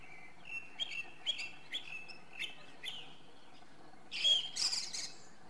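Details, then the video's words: Song thrush (Turdus philomelos) repeating one short whistled note about every half second, five times, then breaking into a louder, richer burst of high trilling notes. "Drozd zpěvný - The song thrush: Zpěv/Singing"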